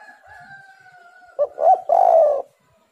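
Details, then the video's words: Spotted dove (tekukur) lure song: a long, even, drawn-out tone in the background gives way to two short hoots and a loud sustained coo. "tekukur super gacor suara pancingan burung galau"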